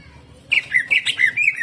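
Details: Greater green leafbird in a brief 'jamtrok' burst of rough 'tembakan kasar' shots: after a near-silent start, a quick string of squeaky, slurred high chirps follows, with steady low background hum.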